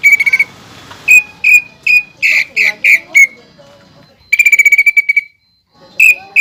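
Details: Mimicry-rich greater green leafbird song with pelatuk bawang (flameback woodpecker) phrases prized in contests: a rattle opening, clear whistled notes, a burst of louder harsh notes, then a long rapid trill over faint background hiss.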